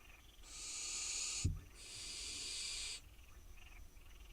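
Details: Hungry wild barn owl fledglings on their nest box in Israel: two long, grating hiss-screeches, with a brief thump between them and a faint, softer hiss after.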